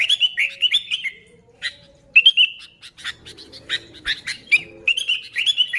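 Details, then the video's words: Sooty-headed bulbul, real lure recording: short bursts of fluty, bubbling phrases separated by pauses, with scattered sharp ticking clicks between them. "Suara Burung Kutilang Gacor ASLI Tanpa isian, Ampuh untuk Pikat Kutilang bikin kutilang Ribut gacor"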